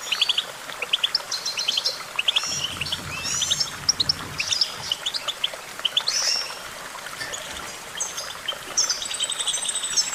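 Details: Singing goldfinch for song development: a lively, jangling stream of twittered notes, short trills and rising buzzy slurs, busy throughout, over a faint low background hum.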